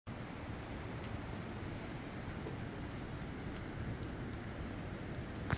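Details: Steady hiss and low rumble outdoors in the rain at Destin, Florida, with a few faint clicks and no bird calls.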